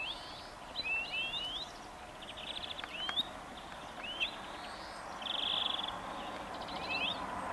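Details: Song of a European greenfinch: a series of upslurred whistles and brief trills, followed by a steady buzzy trill, with ambient outdoor hiss beneath.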